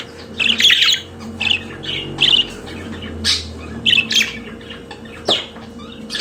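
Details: Pet budgerigar warbling in separated bursts of raspy, nasal chirps and squawks, roughly one every half second, over a low hum and faint rumble.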